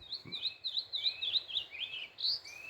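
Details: Saltator, locally called pixarro, singing on a rural smallholding in the morning: a quick run of high, clear whistled notes with short rising and falling slides, closing in a brighter upward phrase, over faint background hiss.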